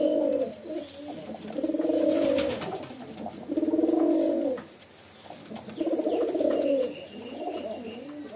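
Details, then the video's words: Low, rolling pigeon coos in steady succession, each phrase swelling and fading over about a second, recorded indoors with light background rustle. "Pigeon Sound || Different Different Pigeon Sound effect"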